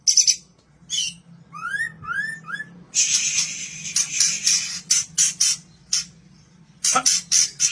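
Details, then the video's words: Captive-bred white-rumped shama, a kaur type, singing as a lure: clean rising whistled notes repeated in a short series, then dense harsh, scratchy bursts and sharp high chips, with a low steady hum beneath. "pancingan suara burung murai batu 100% ampuh. (MK) murai batu kaur"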